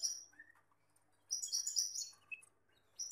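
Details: Male Gloster canary together with a female, giving brief high chirps and sharp tweets in scattered bursts separated by quiet gaps, with a short lower whistled note near the start.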